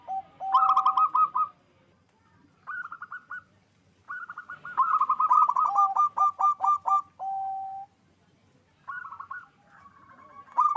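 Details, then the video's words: Local zebra dove, Indonesian perkutut, kept at a bird farm in Bekasi, West Java, singing loudly to raise mating drive: low coo followed by rapid stuttering bursts of notes, repeated in phrases every two to three seconds. "Perkutut lokal GACOR suara besar NAIKAN BIRAHI"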